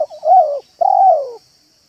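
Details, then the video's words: Spotted dove 'manggung' cooing used to lure doves: a brief stutter into a warm level coo, then a longer coo that slowly falls in pitch, with a thin high hiss behind. "BALAM AJARAN MANGGUNG DAN MERATUS DI LAMAN ⭐ MEMIKAT BALAM"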